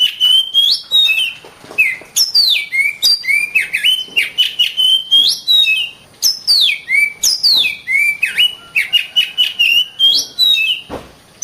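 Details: Long vigorous song of an Oriental magpie-robin: a steady stream of clear whistles, level notes alternating with sharp rising and falling slides, phrases repeating with short pauses, no other sounds evident.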